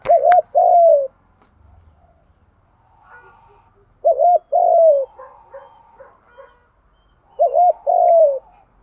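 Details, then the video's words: Male and female spotted doves in a recording used to encourage doves to coo: three deep phrases, each a quick doubled note then a longer falling coo, roughly every three to four seconds, with quiet soft calls between. "tiếng chim cu gáy kích bổi nhanh nổi và gáy theo cả ngày"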